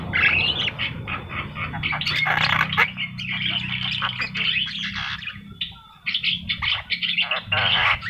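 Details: Javan myna in full vigorous song, a dense run of harsh, scratchy, chattering phrases with rasping bursts and short squeaky notes, briefly pausing near the middle, over a steady low electrical hum.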